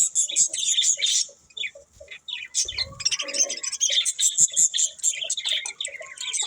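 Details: Budgerigars chatter in high, scratchy chirps and clicks, pausing briefly near the middle with a low rustle before the twittering resumes brighter and busier.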